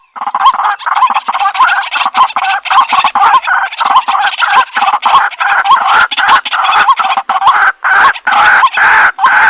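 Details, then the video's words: Kuro-wakwak, the white-breasted waterhen, played back over a Bluetooth speaker: dense, overlapping harsh croaking with quick hooked notes repeating nearly twice a second, continuous and rough throughout. "Kuro-Wakwak White Breasted Waterhen 100% Effective Sounds"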